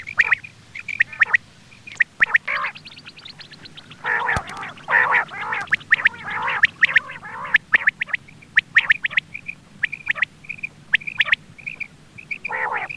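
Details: Quail calls used as a hunting lure: short bright notes repeated in quick irregular series, with bursts of harsher, noisier chattering calls in the middle and near the end.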